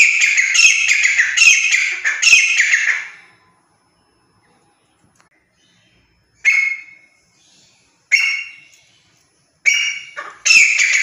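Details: Grey partridge calling in the morning: harsh, grating creaky notes, first in a rapid run of about four per second, then after a silent pause in separate rasping bursts.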